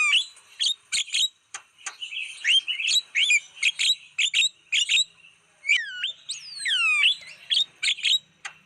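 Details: Javan myna masteran track for attracting wild birds: dense series of sharp chirps and buzzy notes, broken by two long descending whistled slurs near the end.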